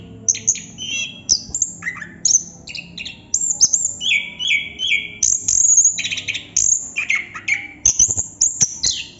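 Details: Anis kembang or plontang, the chestnut-capped thrush, singing non-stop: dense runs of high, sharp notes mixed with buzzy slurred phrases dropping to mid pitch, delivered in quick bursts with hardly any gaps.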